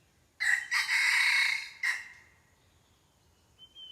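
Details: A loud, harsh crow from a red junglefowl, recorded while luring wild junglefowl with a decoy: a brief first syllable, a drawn-out rasping middle, a short tail that fades, then a thin high whistle from another bird.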